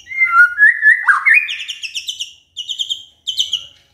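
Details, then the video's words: Shama song used as a lure to prompt a quiet bird to sing: clear whistled notes, then a rising glide into rapid, buzzy, repeated high phrases broken by two short pauses. "Pancingan Murai DIAM Agar Rajin Bunyi"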